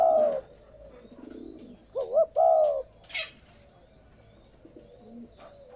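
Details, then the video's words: Spotted dove cooing, used to stimulate captive doves to coo: a low mellow coo opens, then a two-part wavering coo, followed by a brief high chirp over a noisy background hum. "Tiếng Chim cu gáy kích bổi mới"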